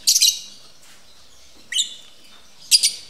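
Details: Captive lovebirds during mating at a bird breeding facility; three loud, shrill, broadband chirp bursts, each doubled, spaced about a second apart against a quiet background.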